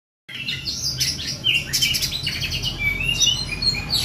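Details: Mountain spiderhunter song: bright, sharp high chirps and short whistled notes in quick irregular bursts, with a faint low rumble beneath.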